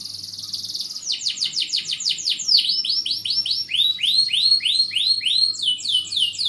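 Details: Canary in full 'gacor' song with a rich 'cengkok mewah' style: a buzzy high trill gives way to rapid repeated downslurred whistles, then a run of rising-falling notes, about three per second, strong and continuous.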